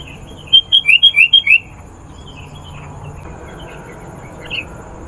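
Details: Sooty-headed bulbul song used as a lure to call wild bulbuls: a quick burst of six bright, bubbly whistled notes in the first second and a half, then near silence with one soft chirp later.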